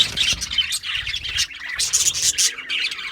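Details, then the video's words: Brief burst of budgerigar chirping: shrill, squeaky twitters in quick clusters, with several clear high whistled notes. "Natural Parakeet Singing Birds | Parrots Chirping sounds"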